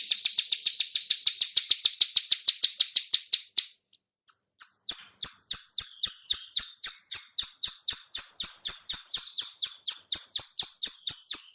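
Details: Female bar-winged prinia giving its clicking call, used as a lure for other birds: a long, rapid series of sharp high ticks about four per second, a brief break, then the clicks resume slightly softer and steadier.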